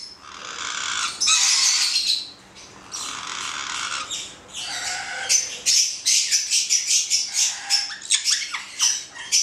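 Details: Two black-headed caiques, a pair, give long raspy screeches first. These break into a fast run of short, sharp, high chattering notes, several per second, in the final few seconds.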